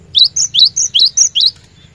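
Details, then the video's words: Cinereous tit, known locally as glatik batu, giving four rapid bright phrases, each a rising slurred note joined to a higher whistle, in a lure recording meant to get caged birds singing; low hum underneath. "Burung Glatik Batu Pikat Gacor"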